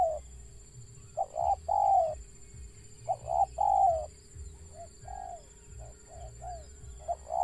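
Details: Wild zebra dove with a stutter in its call, delivering clipped notes that run into warbled coos, repeated several times, then a looser run of short soft stammered notes before resuming, with low rumbling background noise.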